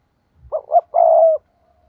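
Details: Spotted dove decoy bird luring rival doves with one complete phrase: two brief notes in quick succession, then a longer steady low coo lasting about half a second.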